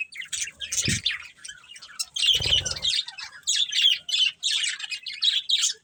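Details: Budgerigars kept as pets chattering in a family group, with rapid scratchy chirps and warbles in pulsing bursts, and a couple of low thumps from movement.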